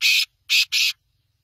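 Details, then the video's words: Black francolin giving three loud, harsh, grating notes, one longer note followed after a pause by two close together, with quiet in between. "Kala Tetar Big Show beautiful voice"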